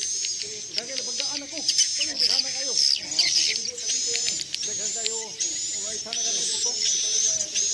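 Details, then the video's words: Played to attract swiftlets into a bird's nest house: sustained high twittering tones and buzzes, interrupted by short sharp clicks, layered over lower bouncing chirps. "inap super efektif House Of Bird's Nest"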